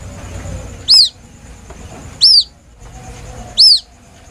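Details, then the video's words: Young white-breasted waterhen calling plaintively, as a lure: three piercing, down-curved peeps spaced about one and a third seconds apart, with low background murmur. "Suara anak burung ruak ruak asli nelangsa"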